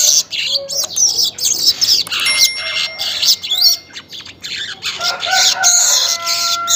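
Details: Weaver singing in the morning around 5:40: continuous scratchy, twittering high notes and buzzy trills, with a few faint pure whistled tones in the background.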